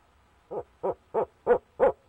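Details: Male barred owl calling to his mate from the nest box on 29 April 2019: five steady, evenly spaced hoots, growing slightly louder, against a faint background hum.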